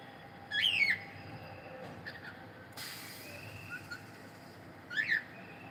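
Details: Male cockatiel singing, a pet bird: loud rising-and-falling whistled phrases near the start and again at five seconds, with softer whistles between and a brief burst of broadband noise.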